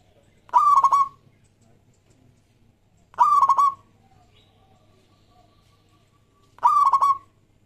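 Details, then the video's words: Zebra dove, a local bird, giving song meant to lure other doves: three loud phrases, each a fast stutter of coo notes trailing into a smooth note, separated by pauses of about three seconds over faint hum. "Perkutut Lokal Gacor JAGO PIKAT semua jenis"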